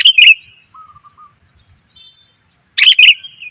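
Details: Lure recording of a female sooty-headed bulbul calling males: a quick chirpy burst, then faint low whistled notes and a pause, then a second lively chirping phrase.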